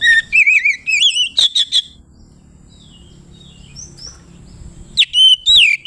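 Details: Oriental magpie-robin in loud ngeplong song style, used to provoke rival birds: clear wavering whistles and sharp notes for two seconds, a long quiet gap, then a rising whistled phrase returns.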